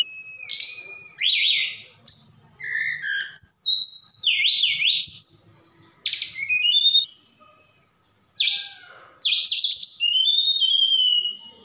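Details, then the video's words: Javan bush lark from Sukabumi in full song, said to be packed with mimicked phrases of cililin and sikatan londo: rapid varied whistled phrases, wavering trills and looping slurs in bursts, with one short silent gap. "Tledekan Gunung Gacor Sukabumi"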